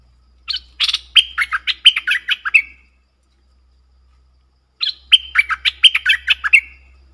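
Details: Streak-eared bulbul pair dueling fiercely in song, recorded 30 October 2021: two bursts of rapid, bubbly chattering notes, each about two seconds long, with bright whistled accents, separated by a pause of nearly two seconds; faint low hum underneath.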